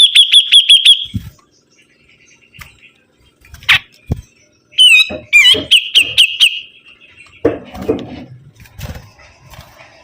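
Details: Sibuntung bird singing vigorously: a burst of rapid, evenly repeated sharp high notes, then a pause with scattered clicks and knocks, then another run of quick rising-falling whistled notes, ending in softer rustling sounds.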